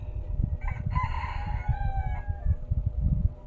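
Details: Rooster crowing near a house at eleven o'clock: one drawn-out crow with a short first note and a long, slightly falling, harmonic-rich tail lasting about a second and a half, over low background rumble.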